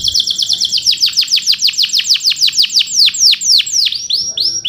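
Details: Male canary singing a 'cuit cuit' rolling phrase used to stimulate other canaries. Rapid sharp downslurred chips gradually slow into spaced whistled notes, ending with looping high whistles.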